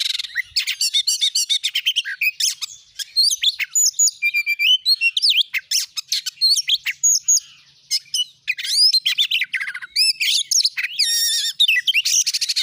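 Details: Lure song of an oriental magpie-robin meant to stir other magpie-robins into singing, a long fast medley of sharp whistles, ringing chirps and rattled trills with brief pauses, ending in buzzy rasping notes.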